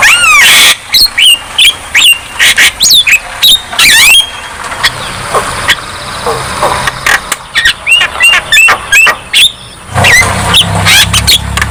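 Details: Long, busy Javan myna song for prompting silent birds to sing, mixing whistled slurs, harsh noisy bursts and quick chirps in an almost continuous stream.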